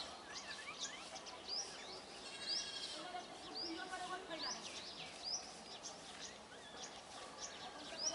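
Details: Brahminy myna flock chatter: many overlapping squeaks and slurred notes under intermittent piercing rising whistles, with a dense burst of calls around the middle.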